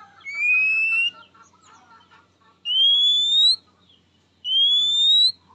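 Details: Oriental magpie-robin calling out to a rival: three long, clear, slightly rising whistles, each near a second long and spaced about two seconds apart, over soft scratchy background chatter.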